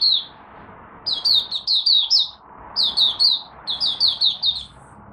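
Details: First morning warm-up of a caged Malaysian oriental white-eye, recorded 1 August 2023: one lone note, then three bursts of four or five rapid, clear descending whistles spaced about a second apart.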